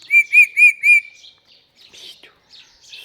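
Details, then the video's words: A pair of pet parrots: four loud, evenly spaced harmonic chirps about a quarter second apart, then softer scratchy chatter and faint rustling. "Very cute talking mithu couple | best talking parrot video"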